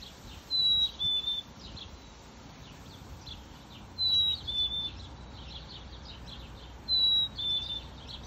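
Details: Two-note whistled song of a male black-capped chickadee in a backyard in NW Calgary, Alberta, 12:46 pm, July 5, 2022, repeated three times roughly every three seconds: high clear note, then a slightly lower one, over faint background chirps.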